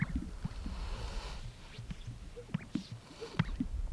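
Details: Male Greater Sage-Grouse displaying at a lek on a snowy April early-spring morning in Colorado: he inflates his chest air sacs, giving low muffled booming with sharp hollow pops every second or so and brief soft whistles, over a steady low rumble.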